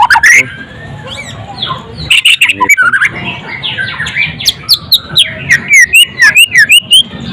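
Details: White-rumped shama delivering a varied song: a burst of chatter, then rapid rising and falling whistled notes ending in quick, loud repeated upslurred phrases.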